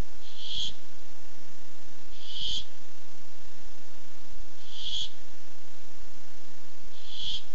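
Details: Barn owl seeking food at a nest camera, 8 July 2015: four harsh hissing screeches, each under half a second, evenly spaced about two seconds apart.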